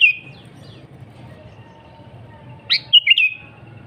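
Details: Sooty-headed bulbul (kutilang) singing energetically, meant to lure wild birds: a brief whistle trailing off at the start, a long quiet gap, then one phrase of a steep rising note followed by three quick bubbly whistles.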